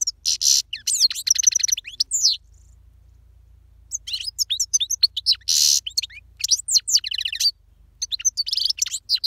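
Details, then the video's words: European goldfinch of the parva subspecies singing loudly: rapid twittering runs of sharp chirps and ladder-like trills, broken by dense nasal buzzes, with bursts separated by short pauses; a faint low hum runs underneath. "Chardonneret parva chante / Jilguero cantando fuerte / Goldfinch singing powerful the best chirping"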